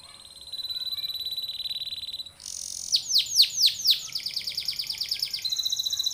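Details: Canary song used to prompt other canaries to sing: a thin high buzzy trill, then a run of loud, rapidly repeated downward-sweeping notes and a fast rolling trill at the end.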